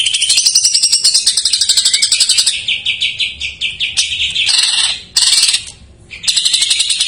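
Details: Greater green leafbird with an isian song of jamtrok phrases, meant to spur untrained or stalled birds to sing; bursts of sharp, rapid chattering trills broken by short pauses, with one near-silent gap before the chatter resumes.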